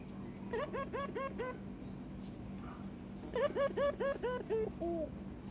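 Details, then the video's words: Barbary dove courting a newly given mate, giving two bursts of quick, short, upswept notes repeated about twice a second, separated by a pause with faint background hum. "burung puter ngajak kawin"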